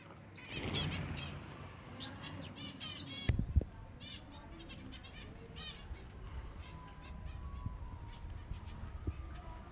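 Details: Silver Java sparrows at feeding time: a loud fluttering rush and two sharp knocks open the scene, then clusters of quick rippling chirps from several finches, with a faint steady tone in the background.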